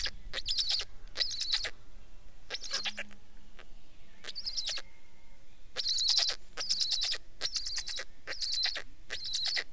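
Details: Black stork: clusters of harsh, buzzy calls with high whistled overtones, a short group, a pause of a few seconds, then a longer run of bursts about once a second.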